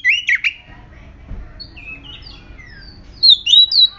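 Oriental magpie-robin song: a quick run of sweet whistles, sliding notes and harsh squawky phrases, high-pitched and varied, with a faint low rumble behind.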